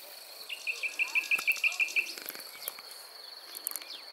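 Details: Common nightingale singing near Montana, Bulgaria, on 23 May 2020: a fast, even run of about nine identical short notes lasting roughly one and a half seconds, then scattered dry clicks, over a steady high insect-like drone.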